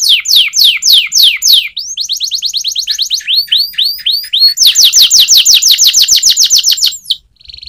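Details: Canary training song with loud descending sweeps, a quick rattle of short notes, a few looping whistles, then a long bright trill of repeated downslurs.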